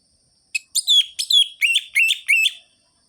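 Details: Orange-headed thrush singing in the rhythmic ngerol-ngeplong style, intended as a lure for listless birds: a string of about seven similar high whistled notes, each dropping at the end, delivered roughly three per second.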